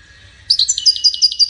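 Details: Goldfinch bursting into a short run of high, liquid chirps repeated quickly in a bouncing rhythm over about one second, heard clearly over a faint low hum.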